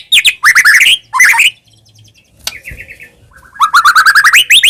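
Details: White-rumped shama song used as a lure so caged birds answer: quick rising chattering trills, brief pauses with soft whistles, then a fast run of repeated upslurred notes.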